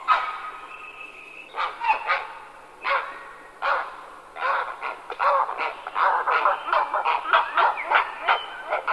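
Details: Grey heron (Ardea cinerea) calling: harsh, rasping croaks, at first spaced about a second apart, then coming in quicker overlapping runs toward the end.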